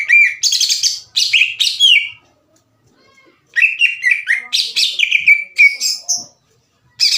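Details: Loud, ringing song from a caged greater green leafbird, past the juvenile twittering stage and singing its own fill-in phrases, calling rivals to fight. Two bouts of sharp whistled and chattered notes are separated by a short silence.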